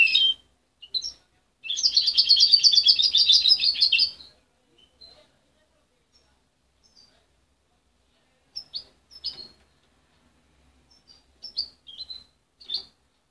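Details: Young goldfinch hybrid, not hand-raised and weaned from its mother at 23 days, gives one sustained two-second twittering trill among sparse, isolated high chirps and long quiet gaps.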